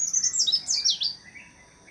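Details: White-eye singing a rapid, high, tumbling twitter of sharply sweeping notes for about a second, then fading to faint thin notes.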